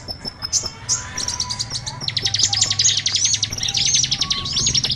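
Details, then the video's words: High thin whistles open this lure recording for small birds, then a fast, buzzy, chattering twitter builds from the second second onward, with a low hum in the background. "Suara Pikat burcil ampuh"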